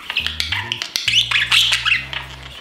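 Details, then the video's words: A budgerigar chatters in a rapid, scratchy stream of high warbles and clicks, a mumbled conversation that signals satisfaction while it sits still and calm, with steady low background music throughout. "chattering [Music]"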